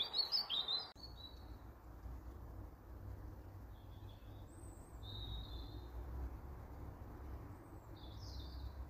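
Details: Juvenile Eurasian blue tit calling: a burst of high, thin chirping notes in the first second, then scattered short high notes later over a steady low rumble.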